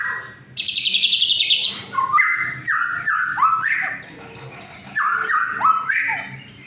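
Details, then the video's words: White-rumped shama song meant to stimulate silent shamas: a rapid high buzzy trill followed by strong whistled notes sliding down and up, repeated in short phrases over a low hum. "suara untuk memancing murai yg macet bunyi"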